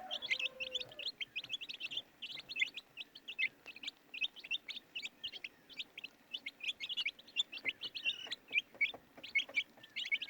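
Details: High-pitched peeping of many baby chicks, short chirps running together in a lively, steady stream, opening with a brief lower tone.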